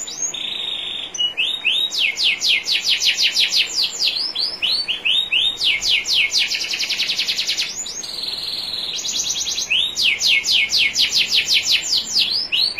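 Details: Champion canary song for training other canaries, with trickling water behind. Long bursts of very rapid repeated strokes alternate with steady buzzy rolls and rising swoops, each phrase lasting a few seconds.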